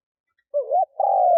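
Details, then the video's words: Single spotted dove coo from a lure bird meant to attract wild doves: a wavering rising-falling opening note, then a long steady coo that is cut off abruptly. "Tiếng cu mồi thúc gù gáy kích bổi cực nhạy / Tiếng chim cu gáy kích bổi nhanh nổi mới"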